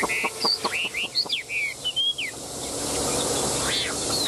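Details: Tame, selected Chinese hwamei singing on a café outing: two seconds of bright whistled slurs and sharp clicks, then only a steady hiss of background noise.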